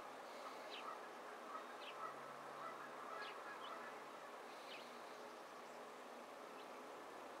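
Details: Male house sparrow, Green River, Puget Trough, Pacific Northwest, winter 2012–13: short, faint chirps at an uneven pace, about one a second, over a steady low hum from bridge traffic and other noise.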